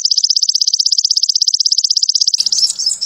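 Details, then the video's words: Sogon trotol song played to train captive birds and raise their excitement: a fast, even, high-pitched trill of rapid buzzy pulses for over two seconds, then breaking into a brief jumbled twitter. "MASTERAN SOGON TROTOL MUDAH DI TIRU‼️AWAS EMOSI DAN BIRAHI NAIK‼️"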